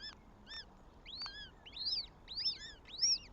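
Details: Northern goshawk at a nest with three chicks and one egg in Tartu, Estonia, on 7 May 2025: six arched, harmonic wailing notes, roughly every half second and growing louder, against a quiet background.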